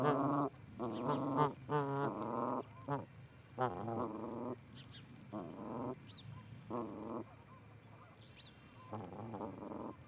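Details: Canada geese, a pair at an osprey nest at Charlo, Montana, 4-7-18, via nest camera: bursts of rough honks at irregular intervals, quieter toward the end, with faint high bird chirps.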